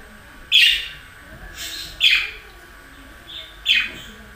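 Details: A budgerigar calls three times in quick succession, each a short, harsh, descending chirp, separated by brief pauses in an otherwise quiet setting.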